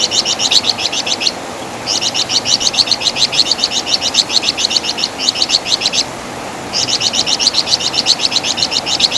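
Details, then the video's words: Flamboyan bird (Wergan Jawa), a loud singer with a distinctive chattering trill, used as tutor material for songbirds: fast bursts of sharp, high, rapidly repeated chip notes, about a second each, broken by short pauses, over faint steady background hiss. "Masteran Suara Burung Flamboyan | Wergan Jawa"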